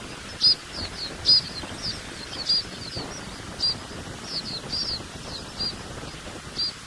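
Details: A group of White-winged snowfinches in the Catalan Pyrenees at Coll de Pal in December 2017 gives short, high, sharp call notes, about one or two a second at an uneven pace, over a steady breezy hiss.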